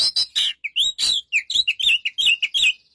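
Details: White-rumped shama giving a quick series of chirped, slightly buzzy notes at a steady fast pace for three seconds.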